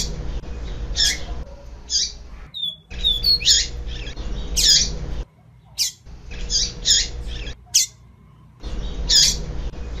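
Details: Female double-collared seedeater (papa-capim) giving short, harsh, high squeaky calls every second or two in loose bursts over a low steady hum; the female's call is played to stimulate and warm up a reluctant male to sing.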